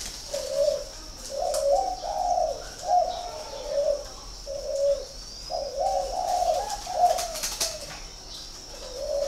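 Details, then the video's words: Spotted dove from a bird breeding farm in Ba Vì, Hanoi, northern Vietnam. It gives soft, low, repeated cooing phrases of several notes, the phrases separated by short pauses, over a steady high background hum. "chim cu gáy hay 88 miền bắc"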